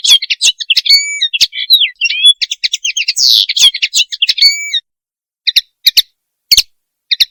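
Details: Mating call of a common linnet, Linaria cannabina: fast chattering twitters mixed with sliding whistled notes for nearly five seconds, then a few isolated sharp chirps spaced by pauses. Clean background.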